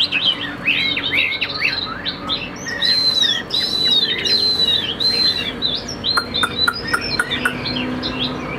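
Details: Caged Chinese hwamei of the Tam Hoang type, with a calm temperament and a steady, fine voice, singing rapid varied whistled phrases that slur up and down, ending with a few sharp clicking notes.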